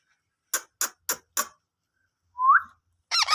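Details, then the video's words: Ringneck parrot making natural sounds: four short sharp clicking notes, then a single rising whistle, then a burst of warbling, wavering calls at the end. "Ringneck parrot natural sounds"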